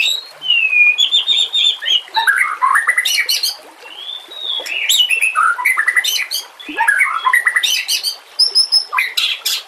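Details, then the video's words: White-rumped shama (murai batu) in a masteran training recording of harsh 'nembak kasar' song: loud, varied whistled phrases, sliding notes and rapid chattering bursts jumping between high and mid pitch, with short pauses between phrases. "masteran nembak kasar cocok untuk murai batu"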